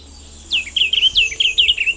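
A Diademed Tanager sings a quick run of about seven sweet, down-slurred whistled notes, each falling from high to mid pitch, over a faint high hiss.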